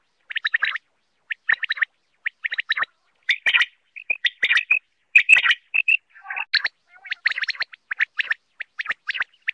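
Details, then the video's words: Quail, called batair, giving clusters of short, sharp chirped notes in quick bursts with brief gaps, some burrier squawky notes near the middle, the whole sequence busy and repeated throughout. "Batair ki awaz l Batair new awaz l Batair sound l 2023 Quail sound"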